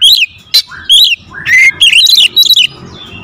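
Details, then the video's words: Oriental magpie-robin (kacer) in 'tembakan rapat' rapid-fire style, a lure recording for training birds: loud, sharp whistled notes and rising-falling slurs, with short buzzy bursts and a clicky high note near the start, all in quick succession. "PANCINGAN KACER SUPER POWER TEMBAKAN RAPAT"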